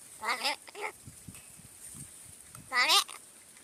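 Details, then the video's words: Crow from Gargaon, Wada taluka, Palghar district, mimicking human speech: two bursts of voice-like, harmonic, slightly wavering syllables about two seconds apart over a steady hiss. "बोलणारा कावळा"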